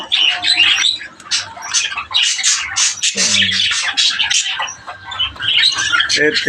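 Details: Breeder budgerigars in captivity with parakeets keep up bursts of harsh, buzzy chatter and squawks, repeated in uneven pulses with brief pauses between them.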